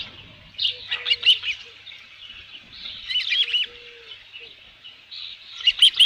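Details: At a Dunrovin Ranch nest on 27 June 2018 shortly after noon, an osprey with a headless fish gives clusters of shrill, whistled chirps in bursts about two seconds apart, with quieter gaps between.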